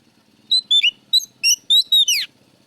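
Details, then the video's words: Loud, clear oriental magpie-robin (kacer) song used as a lure: a quick string of about seven sharp whistled notes, some sliding down and one ending in a steep rising sweep. "pancingan Kacer gacor suara keras plong"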